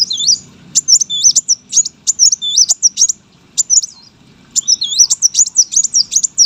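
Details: Brown-throated sunbird kept for competition, singing energetic gacor phrases of squeaky, sharply bending high notes, pausing briefly around the middle before resuming.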